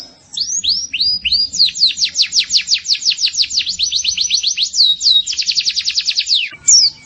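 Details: White-eye (pleci) song from a masteran recording used to train birds: a fast, loud run of high, sharply down-slurred whistled notes, about four per second, with a brief higher flourish at the end, on a clean, quiet background.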